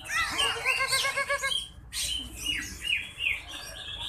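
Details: Competition greater green leafbird on the contest pole, first-place newcomer with a phrase-packed song. A run of wavy harmonic trills is followed by a brief pause, then sharp falling and rising whistles over crowded bird noise.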